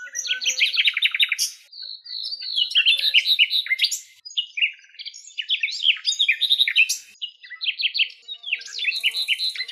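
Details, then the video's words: Nightingale song from Greek countryside, recorded in natural surroundings: rich varied phrases of fast repeated chirps, trills and sliding whistles, each phrase separated by brief gaps, loud and continuous over ten seconds. "ΑΗΔΟΝΙΑ ΚΕΛΑΗΔΗΜΑ η ΣΥΝΑΥΛΙΑ με ΑΗΔΟΝΙΑ - COMMON NIGHTINGALE SONG"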